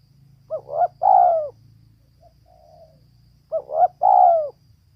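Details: A female spotted dove gives two cooing phrases about three seconds apart. Each has a brief lead note, a bouncing double note and a drawn-out falling coo, with a faint soft coo between them.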